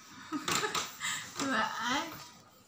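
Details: A pet common hill myna mimics Vietnamese speech in short, human-like syllables with sharp clicks between them, urged by its owner to laugh, sounding much like a person's voice in a small room.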